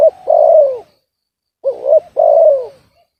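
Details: Spotted dove, its voice called discordant rather than deep: a long coo sagging downward, a silence, then a hooked double note leading into another long descending coo.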